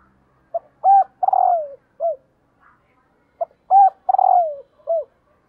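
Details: Female spotted dove calling to stimulate males. A deep cooing phrase of short notes leading into a long descending coo and a clipped final note, given twice about three seconds apart.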